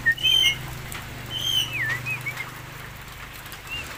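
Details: Javan myna calling with mixed whistled notes: a bright burst at the start, then a long slurred whistle bending downward, followed by softer warbled notes and a faint final whistle over a low steady hum.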